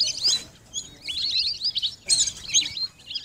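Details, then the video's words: Bursts of excited high whistling and chirping from lesser whistling ducks, two loud clusters with a softer twittering stretch between them. "Lesser whistling Duck Best New Sound 2021"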